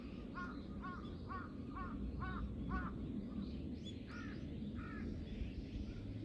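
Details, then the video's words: Three crows mobbing a hawk on 21 October 2023; harsh, nasal caws repeated about every half second in a steady run of six, then two more after a pause, over a steady low rumble of background noise. "3 crows vs hawk ,カラス,까마귀"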